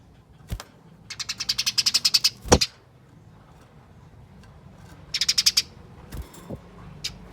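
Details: Fighting chatter of Eurasian tree sparrows, played as a lure to set other sparrows calling: a long rapid run of harsh chips, a later shorter burst, and a few low knocks between them.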